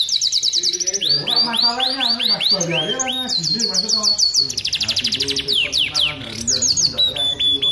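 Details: Vigorous canary song for training other canaries: a fast high trill, then rolling rising notes, a steady whistled trill, and bursts of very rapid sharp syllables, with softer lower warbling in the background.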